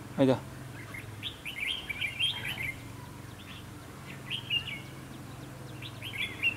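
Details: Red-whiskered bulbul used as a decoy in a trap to provoke fighting, singing short warbled phrases in bursts around two and four seconds, with a sharp knock at the start, a low hum and a person's voice before.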